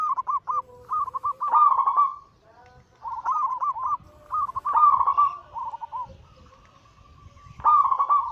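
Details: Cooing 'anggungan' song of a zebra dove, played to prompt reluctant birds to sing: a run of quick rolling, trilled coo phrases, several joined together, then a pause and a final phrase.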